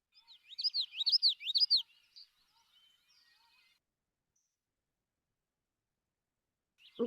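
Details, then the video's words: Common yellowthroat song played from a bird app, its pattern remembered as 'witchety, witchety, witchety': three quick rising-falling high phrases in a row, a short trailing note, then silence and a brief thump. "This is a common yellowthroat."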